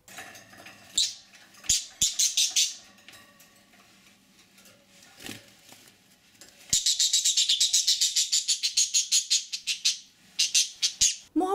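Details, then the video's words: A budgerigar gives harsh, rapid, high, grating screeching squawks in fast bursts, with short pauses and a few clicks between. This is its fear and panic sound, made when a hand reaches in to catch or touch it. "korku ve panik sesi"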